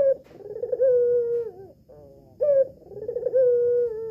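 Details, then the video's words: Female albino collared dove with red eyes, recorded at home as a lure for males. Two resonant cooing phrases, each a brief rising note followed by a sustained wavering coo that tails off downward. "PUTER ALBINO BETINA MATA MERAH SIAP PANCING [[BIKIN GACOR JANTAN ]]"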